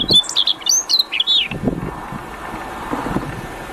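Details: Prinia singing in the wild: a quick run of high, sharp, twisting whistled notes lasting about a second and a half, then fading into steady background hum with low rustling.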